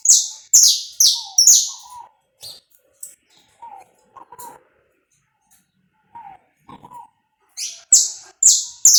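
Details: Saffron finch in uncut live recording for warming up, pega pé style: loud, high, falling notes in quick series opening and closing, with low, soft cooing notes between.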